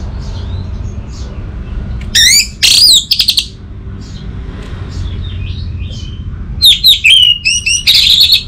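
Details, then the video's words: Orange-headed thrush song used as a stimulus recording to get a silent bird singing, from northern Bali. It gives two short bursts of high, slurred whistles mixed with sharp buzzy chirps, separated by quiet low background hum. "Burung ANIS MERAH Macetan Terpancing Gacor Didengarkan Kicauan Ini"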